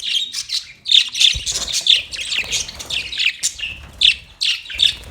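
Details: Budgerigars chirping: dense overlapping high warbling chirps and squeaky notes in quick bursts, continuous throughout with short pauses.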